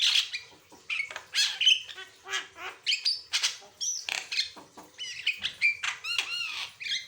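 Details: Asian pied starling delivering lively varied song, intended to tutor and provoke other birds: squawking notes alternate with looping whistles and quick chattered phrases in steady bursts.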